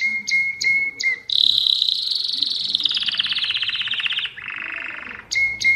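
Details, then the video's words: Mosaic canary with a few sharp chips, then a long loud rolling trill slowly falling in pitch, a lower buzzy rattle, and chips again. "تغريد كناري الموزاييك"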